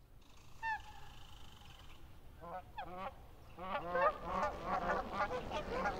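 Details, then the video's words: Canada goose recorded by the National Park Service: a few faint honks early, then a growing chorus of overlapping honking calls from several geese, harmonic and rising-falling, over low steady background noise. "Canadian Goose Sounds"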